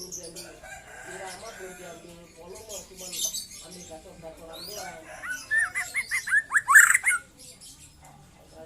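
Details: Young white-rumped shama, 'trotol' song: after several seconds of soft, murmuring lower warbles, a loud rapid run of slurred whistled notes erupts for about a second and a half, then fades.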